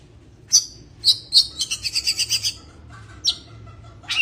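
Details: In breeding condition, an Oriental magpie-robin sings shrill separate whistles that lead into a fast, even chatter of high notes, then a pause and more sharp chirps against a low background hum.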